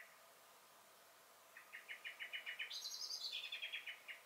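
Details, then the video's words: A garden common blackbird (Turdus merula) on 23 May 2021 breaks into a fast rattling series of clipped alarm notes, overlapped midway by a brief higher squeaky phrase, then the rattle fades out. "Song and Alarm Calls of the Blackbird"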